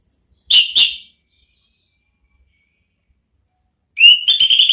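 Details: Ngeplong-style therapy song of an orange-headed thrush, used to coax others into replying: two ringing, fluty notes, a long silence, then a rising whistle that breaks into a quick run of bright, stuttered notes.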